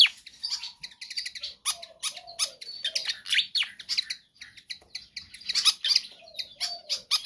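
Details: Constant singing from a pied fantail meant as a training lure: rapid high chittering notes in clustered bursts, broken by short pauses and occasional low drawn-out tones.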